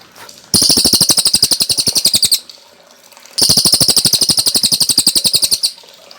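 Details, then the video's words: Cililin song as training material for cage birds: two long bursts of rapid, ringing, high-pitched notes, about four per second, separated by a short pause. "Masteran Burung Cililin Gacor Jernih"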